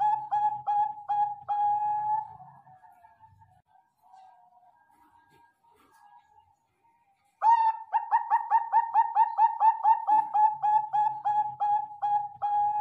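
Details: Bangkok-type zebra dove, recorded for bird training and tagged Sidoarjo, East Java: clipped coos end with a soft trailing phrase, then several seconds of near silence, and a fresh burst of rapid repeated coos follows over a low hum.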